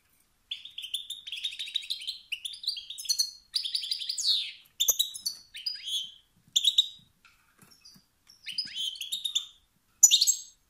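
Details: European goldfinch, a male, calling in a way said to spark rivalry and dominance urges in other males: dry rattling twitters and rising buzzy notes in separated bursts with quiet pauses.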